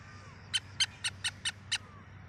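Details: Black francolin of the Sindhi strain, season's first try: six short, evenly spaced raspy notes roughly a quarter second apart, fainter and set against a steady low background hum.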